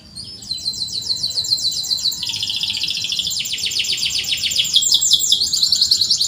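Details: Canary in full song, a recording meant to coax canaries that rarely sing: a loud, continuous rapid trill of high repeated notes, shifting pitch in steps and running for over five seconds.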